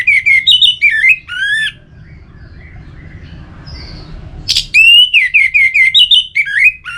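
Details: Orange-headed thrush (anis merah) song for prompting birds to sing in rainy and dry seasons: loud strings of slurred, warbling whistles in fast repeated notes, broken by a quiet gap before another lively burst.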